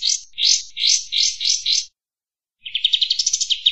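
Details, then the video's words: Six harsh, buzzy bursts in quick succession, then after a pause a fast rising chirp trill, sung by a kapas tembak bulbul on a recording made for training cage birds. "Masteran suara burung Kapas Tembak gacor ampuh 100%"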